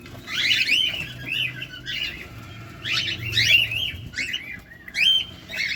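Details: Close-up feeding cockatiels give four bursts of bright, tumbling chirps and arched whistles, each cluster about a second long, separated by calmer gaps.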